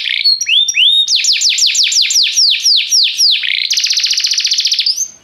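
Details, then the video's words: A canary singing restlessly: a few rising whistles, then a rhythmic run of about a dozen sweeping downslurred notes, followed by a long, fast, buzzy high trill fading out. "o canário cantava inquieto"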